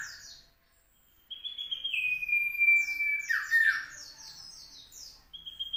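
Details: Singing Common iora recorded in South Malang on Monday 16 June 2020. High chirps come first, then a prolonged level whistle and a rough falling flourish, with rapid high twittering notes layered over it and a short whistle at the end.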